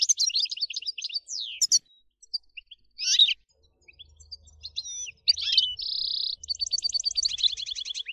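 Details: European goldfinch song for stimulating other goldfinches, with fast tinkling trills, a rising slurred whistle, a drawn-out buzzy note and rapid repeated chattering phrases.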